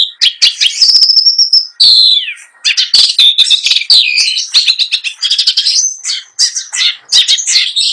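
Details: Contest long-tailed shrike, a past trophy winner, rolling nonstop through its 'isian' repertoire: a long steady high whistle, then a falling slurred note and dense chattering, buzzy and trilled phrases packed tightly together.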